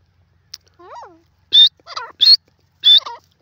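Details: Grey francolin calling: loud, shrill, rising whistled notes alternating with lower, wavering nasal notes, about four high notes in three seconds, with one soft descending call near the start.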